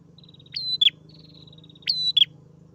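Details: Newly caught bird singing vigorously while held in the hand: two loud, sharp phrases about 1.3 seconds apart, each a rising whistled note sliding into a bright slurred note, over a steady pulsed high buzz and a low hum.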